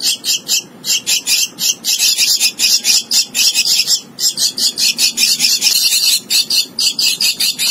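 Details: Hand-reared young Javan myna (jalak kebo lolohan), kept as a prospective contest songbird, giving a rapid run of harsh, raspy squawking notes, about three each second, with brief pauses near the fourth and sixth seconds.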